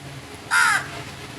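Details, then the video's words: A crow gives a single short, harsh caw of about a quarter second, loud and broadband, against faint low background hum. "Crows sounds | Beautiful singing of crow birds"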